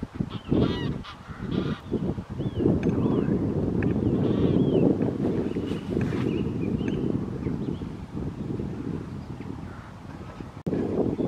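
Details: Winter flock of white-fronted geese (Anser albifrons), Wimpole Hall, Cambridgeshire, 17 December 2020. Many overlapping high, arched yelping and laughing calls tumble over one another over a loud, steady rumble of wind or distant noise.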